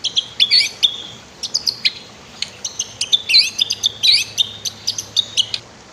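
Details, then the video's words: Energetic white-rumped shama song, meant as a master for training other birds to sing: dense, rapid high chirps, trills and whistles in tight back-to-back phrases, with a soft low hum under it. "MASTER KICAU MURAI BATU"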